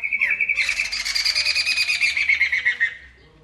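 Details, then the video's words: A Masked Laughingthrush sings loudly, opening with a thin, steady whistle, then bursting into a loud, harsh, rapidly pulsed chatter for about two and a half seconds. "Burung Poksay Mantel Gacor"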